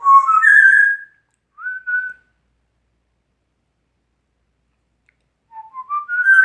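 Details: Pet male African Grey parrot whistling an original composition: an upward-sliding whistle, a brief two-note phrase, silence, then a climbing series of whistled notes.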